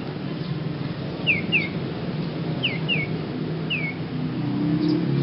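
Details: Odd-voiced young sirpu bird giving short downward-slurred whistles in pairs, five notes spread over a few seconds, with low background noise.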